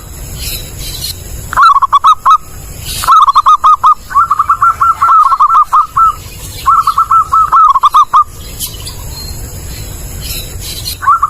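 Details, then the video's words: A zebra dove sings a clear, loud song of the kind used to lure birds. Four runs of quick, bubbling coo notes are separated by short pauses, over a constant hiss with scattered sharp clicks. "Suara Burung Perkutut jernih, jelas dan keras cocok buat pikat"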